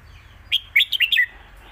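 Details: Competition red-whiskered bulbul in a cage sings a master song meant to teach young birds: one short, rapid phrase of five bright, warbled notes, the last slurring downward.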